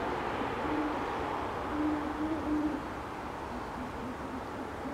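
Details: Great horned owls mating in Forest Park, St. Louis, Missouri, USA, 1 January 2019; faint, low hoots in a loose run of three to four notes, partly masked by broad steady noise.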